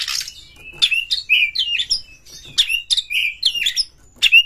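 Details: Fast continuous song of a caged white-rumped shama, meant to rouse other shamas: a dense string of sharp bursts each ending in a short whistled slur, repeated without pause.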